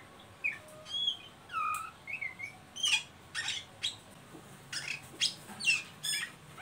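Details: Oriental magpie-robin ngeriwik calls used to coax untrained birds into song: soft falling whistles at first, then a string of harsh, buzzy high bursts repeated roughly every half second.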